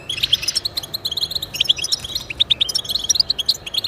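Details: Lively European goldfinch song used to stimulate pet goldfinches: tinkling, bubbly twitters in uneven bursts, with sharp bright chirps standing out near the close.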